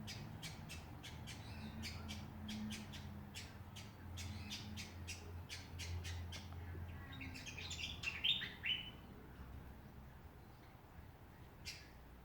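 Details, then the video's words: Australian backyard birds in Ballajura, Western Australia: a fast series of sharp, clicking squawks about twice a second, then a short burst of higher warbled notes, over a steady low rumble. "Australian songbirds in backyard."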